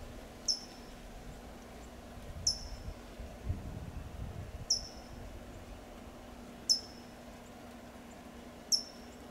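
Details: In Del Monte Forest, California, a California towhee repeats crisp, high tsip chips, five in all, evenly spaced about every two seconds, with faint low rustling between them.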